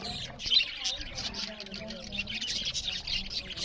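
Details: Eating budgerigars keep up continuous high, buzzy twittering with a few sharper chirps and faint low murmuring underneath.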